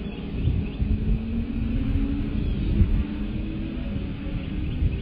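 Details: Deep, continuous vehicle-like rumble with wind noise outdoors and no animal voice.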